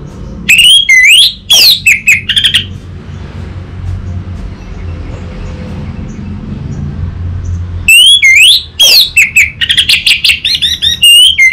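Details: Orange-headed thrush singing a tutor and lure phrase meant to prompt a reply: loud, clear, wavering whistles and rolling trills in two bursts with a quiet gap of about five seconds between them.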